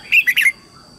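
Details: Red-whiskered bulbul lure bird singing to bring wild birds in to fight; three rapid, loud whistled notes run together in under half a second, bright and slightly slurred, then quiet.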